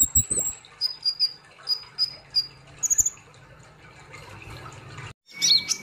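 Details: Olive-backed sunbird, kolibri ninja, delivering sparse, spaced high whistled notes and a brief quick flurry, ending in a sharp squeaky burst after a short silence.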